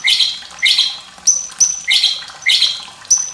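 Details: White-rumped shama song with trickling water, used as a master recording to train young birds and coax quiet birds to sing: harsh, scratchy bursts alternating with sharp high whistles, repeated roughly twice per second.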